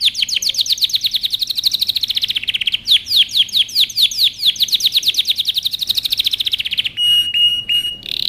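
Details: Canary training song with long rapid trills of repeated downswept notes, briefly pausing then resuming faster, ending in a flat steady whistle with clicks.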